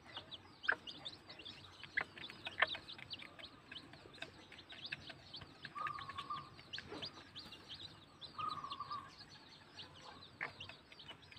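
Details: A dense chorus of one-day-old bantam chicks (Gallus gallus domesticus) peeping constantly in short, high chirps, with two brief steady tones sounding midway.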